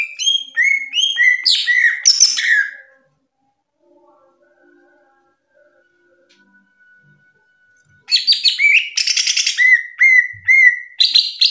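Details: Greater green leafbird, called cucak ijo, singing masteran song: repeated clear whistles and scratchy notes, several seconds of quiet, then rattling chatter mixed with bright whistled phrases.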